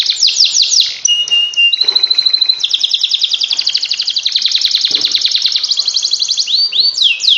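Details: Canary song used as a training recording meant to push lazy canaries into ngekek, long nonstop singing: rapid high rising sweeps, then steady whistled notes, then a long dense buzzy trill of fast repeated notes, ending with rising sweeps.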